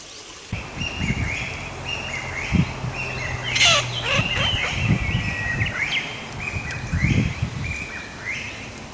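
Eurasian teal giving short, clear, whistled 'krik' notes in quick, uneven series, several birds overlapping, over low rumbling wind noise.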